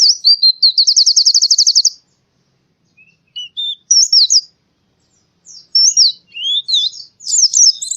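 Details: White-eye song from Central Java, Indonesia, in forest style. A rapid high trill of about two seconds, then sparse chirps and slurred whistles, ending in busy overlapping twitters.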